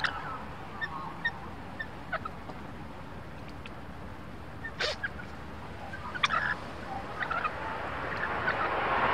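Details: Lorikeets in a tree, having found food and taking over the feeding spot from rosellas: short sharp chips scattered throughout, with harsh broadband screeches bursting out near the middle and later, over a steady low rumbling background.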